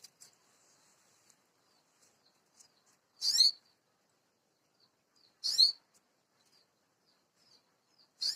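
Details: Canary in song, giving short, loud, high-pitched trilled bursts about every two and a half seconds, separated by near silence with faint soft chirps between.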